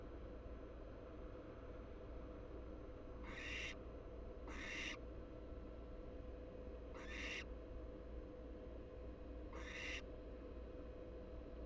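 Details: Nest box in Florida holding three American barn owl chicks (Tyto alba pratincola) of very different sizes; four noisy, hissing shrieks in two loose pairs, each under half a second, over a low steady hum.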